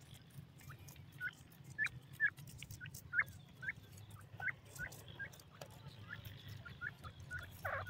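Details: Grey francolins, male and female, give a series of sharp, short whistled notes about once a second, some rising, others falling, with a low hum throughout.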